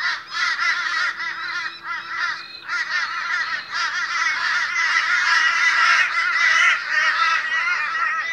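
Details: A noisy morning gathering of Australian crows fills the air with fast, overlapping, grating caws, about three a second, building into a thick unbroken chorus toward the end.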